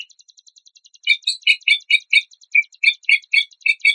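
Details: Shama filler song from a training compilation: a soft rapid ticking series, then loud chattering, rasping notes repeated about four times a second.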